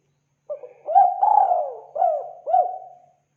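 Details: Spotted dove lure call used to attract birds: a soft, low cooing phrase of four hollow notes, the second drawn out, ending on a short accented coo.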